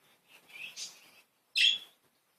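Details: Playful budgies giving a soft, high warbling chatter that swells and fades, then one loud, bright squawk-like chirp after a short pause.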